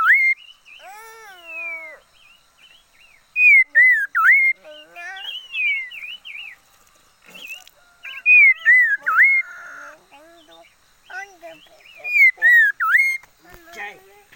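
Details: Decoy liocichla in a cage repeats its loud whistled phrase of slurred, dipping notes several times, separated by softer chattering and warbling notes.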